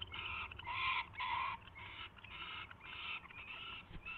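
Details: Owl at a nest on 24 February 2016 at 4:21 AM, during a mouse delivery and feeding; harsh, raspy screeching bursts, some long and some clipped, follow one another almost without pause over a low background rumble.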